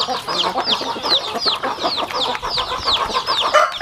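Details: Chickens eating at a rural home farm; clear high peeps, each sliding sharply downward, repeat several times a second above a bed of quieter peeping and light pecking clicks.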